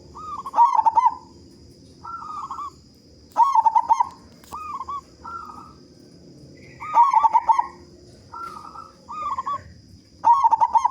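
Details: Strong-voiced local zebra dove singing to prompt other doves; loud pulsed stuttering phrases followed by two or three short quavering coos, cycling about every three and a half seconds, with a persistent high electrical whine.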